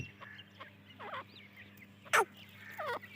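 Grey francolin giving short, wavering, nasal notes about two seconds apart, with a sharp loud click in between and a low steady hum underneath.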